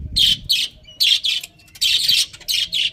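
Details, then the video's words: Loud, harsh budgie chirps in rapid paired bursts, each a scratchy high squawk lasting a fraction of a second, nearly continuous with short gaps. "Cute Budgies Chirping Sounds"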